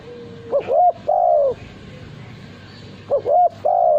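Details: Caged male spotted dove singing loud, ringing coos: a soft flat lead-in, a quick double note and a long falling coo, repeated after a pause of about two seconds, over a quiet background hum.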